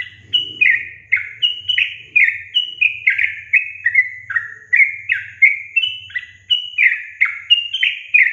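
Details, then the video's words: Lure song of a sooty-headed bulbul, played to spur quiet young caged birds into song: continuous chattering sequence of short, downward-slurred liquid whistles, about two per second, with a faint low hum underneath. "Pancingan Trucukan SUSAH BUNYI"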